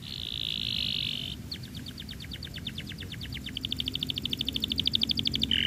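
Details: Singing canary, its song used as a lure to get other canaries singing: a steady buzzy trill, then a long run of quick repeated notes speeding up and growing louder toward the end.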